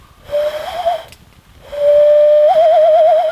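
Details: A Common Loon on a wilderness lake, where five loons cruise by and one splashes, gives a pure mid-pitched held note that breaks into rapid even quavering. It calls twice, the second longer, over a quiet background.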